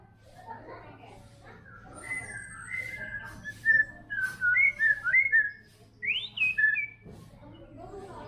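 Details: White-rumped shama in song: varied slurred whistles, some sliding up and down, a short burst of loud clipped notes mid-phrase, and a high thin whistle early on, over a low hum.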